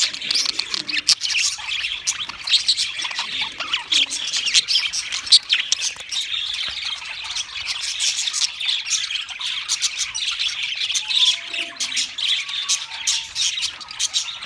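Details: A group of pet budgies sings a long stretch of hoarse, clicking warble and high chirps, busy and unbroken, with a few clearer whistled notes near the end.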